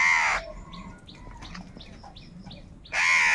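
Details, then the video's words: Angry crows calling for food: a hoarse, grating caw opens and another closes, with quieter chirping and twittering of other birds filling the gap between them. "Very loud voice of Crow sound - Crow sound of kaka | Crow bird unity anger and sound for food"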